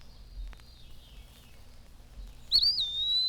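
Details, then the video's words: Plaintive name-calling whistle of an Eastern Wood-Pewee heard from shade trees through the day: a faint, long, slowly falling whistle, then a louder high slurred note that rises, dips and holds steady to the end. "The morning chorus has subsided now, but all day long we can hear from the shade trees the plaintive, drawn-out whistle of the wood pewee, calling its name."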